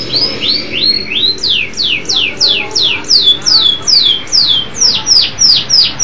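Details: Lively song of a local canary: clear, high whistled notes sliding downward, repeated about three times a second in an even, bouncing series.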